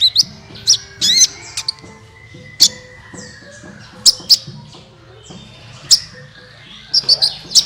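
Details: Sunbird calls used as a lure for other songbirds: scattered sharp, high chirps and short twittering bursts over a faint low background hum.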